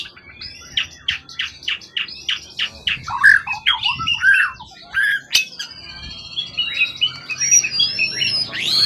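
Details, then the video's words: Competition songbird taken from the forest, tail above 20 cm, not skittish and long in care. A run of rapid sharp repeated notes leads into loud varied whistles and harsh squawky phrases over several seconds. "Burung event ori hutan ekor 20cm up lg on banget"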